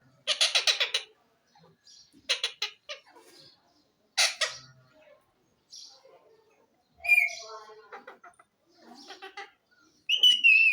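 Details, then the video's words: Talking parrot giving loud, harsh, speech-like bursts of voice near 0.5, 2.3 and 4.2 seconds, with softer chattering and short wavering whistles between them, then a high clear whistle at the end. "Talking parrot funny sounds,parrot bird calling"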